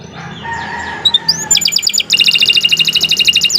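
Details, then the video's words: Lively, long Atlantic canary (kenari) song used to tutor young canaries and prompt silent ones: faint tones and a rising whistled note, then loud rapid buzzy trills of repeated high notes. "Kicau Burung Kenari 80 II GACOR PANJANG"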